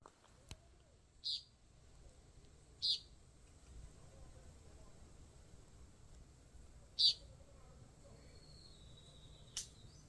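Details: A Puerto Rican tody in Bosque Seco, Guánica, Puerto Rico, on February 26, 2023, gives four short, high, buzzy beeps at uneven intervals over about ten seconds, against faint background hiss.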